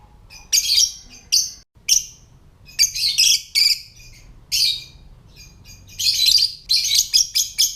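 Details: Lovebird ngetik (typing) call for stimulating other lovebirds to call and breed: shrill chirps starting sparse, then packed into fast rattling runs toward the end, loud and high-pitched.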